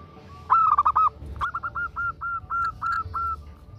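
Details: Calling a male, a female zebra dove gives four loud clipped coos in quick succession, followed by a softer, faster string of about nine similar notes.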